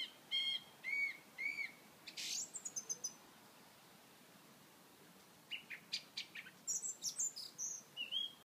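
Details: A song thrush in Edinburgh Botanic Gardens on 29 May 2013 sings a clear, fluty phrase three times over, then adds sharper high notes and, after a pause, a fresh run of varied, repeated phrases.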